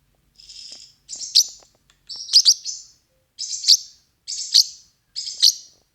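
A parrotlet gives high, buzzy, scratchy chirps in short bursts, roughly one a second, each with a sharp bright peak. Otherwise quiet.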